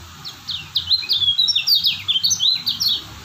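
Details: Lemon-bellied white-eye of Lombok origin singing a continuous, lively stream of high, sharp falling whistles and twittery slurs, evenly spaced and energetic, over faint low hum.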